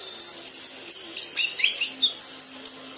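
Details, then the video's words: Kinoi youngster learning its song, delivering sharp high tweets about three or four per second, some notes slurred and squeaky, with a faint low drone behind. "Burung Kinoi Paud / Anakan belajar bunyi"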